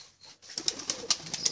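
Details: Pigeon chicks begging for food, giving short, sharp, high squeaks in quick succession, about four or five a second, after a brief quiet start.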